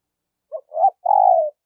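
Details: Single short cooing phrase from a spotted dove kept as a decoy for wild doves: a brief low note, a swelling coo and a steady burry croon of about half a second, with nothing else heard.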